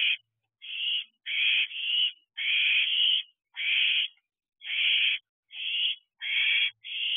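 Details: Owls, including young owlets and siblings still visiting, at a nest box on the night of June 28, 2023, around 9 pm. About ten harsh, hissing, raspy bursts follow one another, each roughly half a second long, separated by brief silences. No other sounds.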